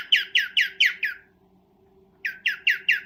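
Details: Cockatiel in breeding, calling to mate: five rapid, harsh, falling chirps, a pause of about a second, then four more in the same quick rhythm over a low steady hum.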